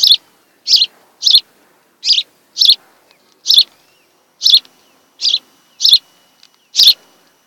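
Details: High-pitched osprey chirps from a Kent Island, Maryland nest occupied by a mated pair, captured by camera on 26 July 2018 in the afternoon; about a dozen short whistles repeated every half second or so.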